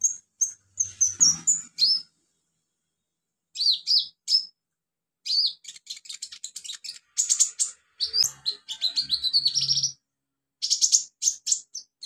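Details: Wild olive-backed sunbird in its natural habitat gives runs of high, sharp chirps and fast rattling trills separated by short silences, with a brief low sound in the background.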